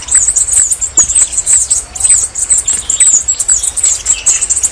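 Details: A Red-necked Tanager delivers a rapid stream of shrill, high-pitched ticking and twittering notes in short bursts. Occasional lower chips and a brief mid-pitched whistle are heard.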